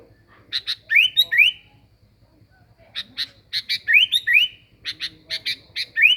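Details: Lure song of a sooty-headed bulbul, in short phrases of clipped notes ending in rising whistled slurs, with a pause after the first phrase and then two more bursts, faint hum beneath.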